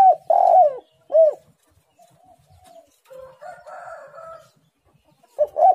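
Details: Spotted dove singing busily in a tight, pressed manner: coo phrases opening and closing the recording, with softer muffled calls and a faint rough sound in the quiet gap between.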